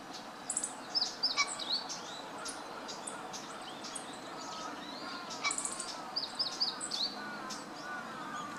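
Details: A Long-tailed Rosefinch, a winter visitor, recorded in Noda, Japan, on 18 November 2015, gives short, high, thin chirps in loose bursts, some doubled, over a steady hiss of outdoor background noise.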